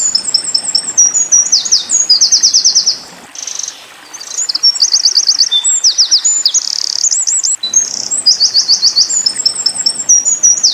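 Eurasian wren song: loud, very high, rapid trills and rattling bursts strung together, pausing briefly before resuming with more ringing trills.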